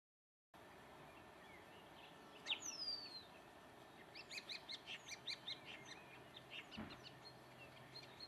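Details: Common Starling (Sturnus vulgaris) song: a long descending whistle, then a fast run of about a dozen clicking, chattering notes over a steady background hiss.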